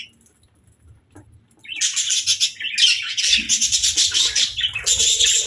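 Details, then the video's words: After a quiet start, a budgerigar breaks into lively high chattering song, with rapid pulsed chirps and scratchy warbles that continue to the end. "Budgie Singing & Chirping Sounds | Relaxing & Happy Parakeet Sounds"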